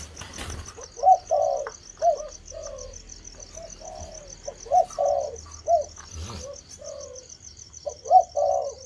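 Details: Spotted dove (cu gáy thổ) beginning to coo: a series of soft, hooting coos near mid-low pitch, grouped in short phrases, each with a brighter accented note, repeated several times. A steady high cricket-like trill runs throughout.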